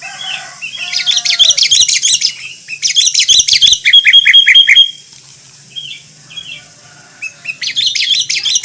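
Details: Sooty-headed bulbul (Pycnonotus aurigaster) giving bright, chattering phrases of quick high chirps and a run of clear repeated notes, in bursts separated by short pauses.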